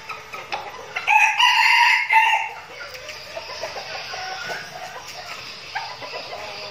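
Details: Red junglefowl decoy birds in Bình Phước, Vietnam, kept as a flock and trained for trips to the forest. One harsh, strained crow rises and holds from about one to two and a half seconds, followed by soft clucks and quieter background sounds.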